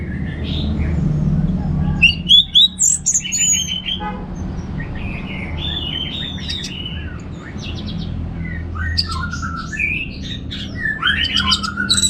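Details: Relaxed ngeplong singing of an orange-headed thrush. A quick series of loud high whistles and chirps opens, then a long stretch of rambling mid-pitched warbled twitters, ending in scattered sharp notes, over constant low background noise.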